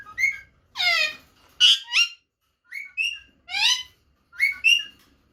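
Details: Rose-ringed parakeet, a female, giving calls said to excite the male and send him searching for her: harsh, harmonic-rich squawks and shorter rising chirps in irregular bursts, with quiet gaps between.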